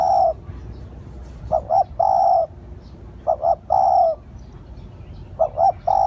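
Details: Repeated calling of a spotted dove for luring: paired short coos each followed by a drawn-out hollow note, about three phrases in six seconds, over faint low background noise.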